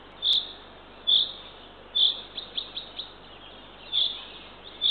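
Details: Third eagle-owl chick being fed by the female at a Northern Estonian nest at 6:21 am, 3 June 2023. Harsh high notes recur about once a second, and a run of soft quick chirps fills the middle.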